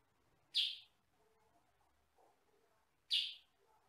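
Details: Master recording of a yellow-and-black sutra-type sooty-headed bulbul, noted for a loud voice of one or two tones: two loud, harsh, short chirps about two and a half seconds apart, with faint low murmurs between.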